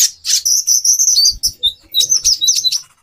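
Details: Female brown-throated sunbird calling to raise a male's breeding urge, with thin, high sustained whistled notes broken into quick chirps, sliding briefly downward, plus soft low taps.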